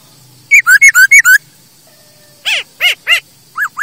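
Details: Masked laughingthrush, sung for luring and tutoring other birds: six quick loud whistles alternating high and low notes, a pause, then several arched, buzzier notes spaced about a third of a second apart.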